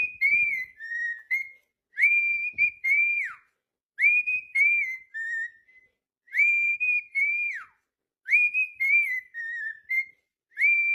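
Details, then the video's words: Cockatiel song of sustained high whistles, each held briefly then dropping sharply at the end, arranged in repeated phrases separated by short pauses. "calopsita cantando"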